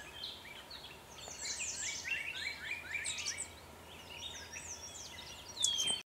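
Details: An agitated Blue-gray Gnatcatcher gives a rapid jumble of thin, high, wheezy notes, then a short run of downslurred buzzes, ending in one sharp high whistle.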